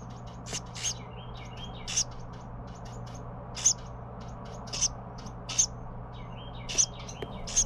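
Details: Baby Carolina wren being fed by parents: brief hissy high bursts roughly once a second, mixed with softer warbling notes and a steady low drone.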